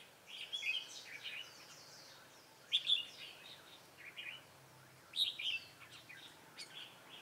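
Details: Decoy red-whiskered bulbul singing while trapping wild birds, recorded 27 October 2017: lively chattering warbles in clusters roughly every two to three seconds, with sharp, bright notes and a faint outdoor hiss behind.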